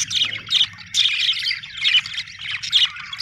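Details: Happy budgies chirping: grating, squawky chatter in uneven bursts, about one a second, with buzzy warbled notes between them and a low hum beneath.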